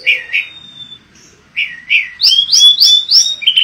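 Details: Mangrove blue flycatcher delivering paired mellow whistles, a pause, then a fast series of bright, rising and falling whistled notes repeated about three per second.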